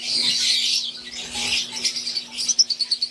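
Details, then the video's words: Wild-type green Fischer's lovebirds and Euwing lovebirds in an aviary: a dense wash of overlapping high, scratchy chirps, then a run of short, evenly spaced sharp chirps near the end, over a steady low hum. "Wild type Fischer green & Euwing | Relaxing Sound | Birds Chirping"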